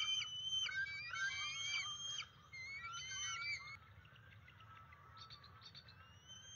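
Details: Bald eagle calling while chasing an intruder from its nest, field cam recording, May 15, 2023: shrill whistled chatter in quick repeated notes, fading to fainter distant piping in the latter half.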